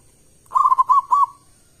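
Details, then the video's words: Single phrase from a loud local zebra dove used to lure other doves into singing: five or six short, clipped, rolling coos in quick succession, ending in a brief fading note. "Perkutut lokal gacor suara keras besar - pancingan burung perkutut"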